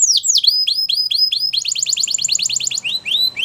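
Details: Song of a Belgian canary: clear, descending whistled notes repeated in series, then a quicker run of short rising-and-falling chips and a final few slurred notes, with a faint low hum behind.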